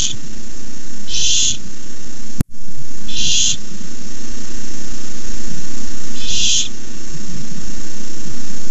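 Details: Barn owl begging at a nest filmed by camera while a rat is delivered; three rasping screeches about two to three seconds apart, a sharp click and brief dropout between the first two.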